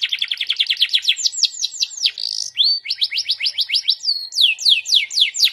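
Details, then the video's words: Canary singing constantly in a lively, ornamented style: rapid series of downward-sweeping whistled notes. The series shifts pitch and speed several times, with a brief buzzy pause midway, then resumes with more falling slurs. "KENARI GUACOORR DOR MEWAAH GOYANG DAN CENGKOK NYA JOOSS"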